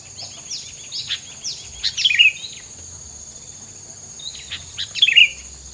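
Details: Two short chirp bursts about three seconds apart, preceded by a rapid run of insect-like ticks, with a steady high hiss throughout, played as filler sound against rivals.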